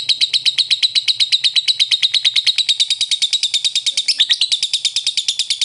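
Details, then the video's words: Lovebird singing ngekek, a long unbroken chatter of rapid, high, scratchy notes repeated about twelve times a second, steady and shrill throughout. "Masteran Burung lovebird Ngekek"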